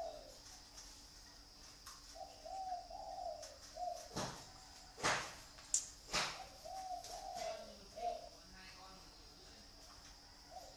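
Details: Kept zebra dove in Ba Vì, Hanoi, Vietnam, giving two soft cooing phrases of short, bubbling mid-pitched notes run together. Sharp knocks and clicks sound between the phrases, over a steady hum.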